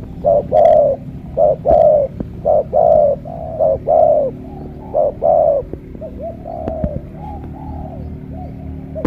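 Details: Spotted dove of the 'thổ cọp' voice type from Ca Mau, Vietnam, in the morning: a run of low paired coos repeated every second or so, ending in softer, wavering coos.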